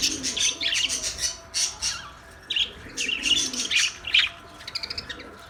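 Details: Busy, scratchy chirping from an Australian parrot, dense bursts of harsh high notes with brief pauses, ending in quick clipped twitters.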